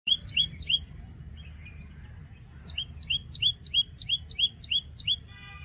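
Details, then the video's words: Common tailorbird (Orthotomus sutorius) repeats loud, sharp two-part chirps, about three a second, over a faint low rumble. "Common Tailorbird Song"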